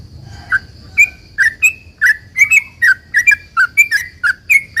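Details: Sooty-headed bulbul delivering 'ropel panjang' rapid song to entice other bulbuls to answer: a few hesitant chirps, building into a fast, even series of bubbly slurred notes over a steady faint high tone.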